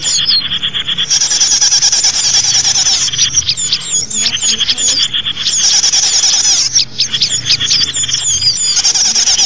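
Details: Lure sound for small birds: dense, shrill twittering with repeated hooked, curling chirps rising above a constant high buzz of many voices.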